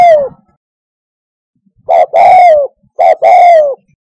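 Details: Spotted dove used as a lure for hunting from a hide: the tail of one falling coo, a silent stretch, then two full coos, short note then drawn-out descending note, a second apart.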